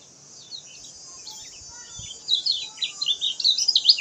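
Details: Lemon-bellied white-eye (kecial kuning) song beginning quietly with scattered high notes, then swelling into a fast, loud chatter of high slurred chirps during the second half, against constant hiss.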